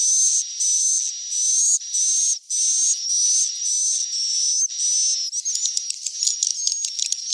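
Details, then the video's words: Swiftlet chicks calling, meant to make swiftlets come and roost: near-continuous high buzzy hissing pulses with a faint rising whistle, giving way to fast, flickering chatter in the last seconds. "SUARA WALET ANAKAN TERBARU"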